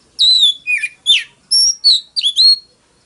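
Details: A few clean phrases from an Oriental magpie-robin's fighting song: pure, drawn-out whistles, some slurring downward, in about six separate notes over three seconds.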